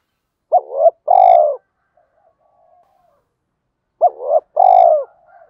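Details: Spotted dove cooing, recorded for training birds to sing: a short two-part coo followed by a longer, slightly trilled note, the phrase given twice about 3.5 seconds apart, with faint low twitters between.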